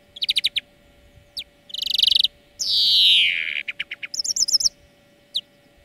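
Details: Greenfinch song lesson for teaching birds: fast rattled trills, a buzzy burst, then a long loud descending nasal wheeze, followed by a rapid wavering twitter and single sharp notes.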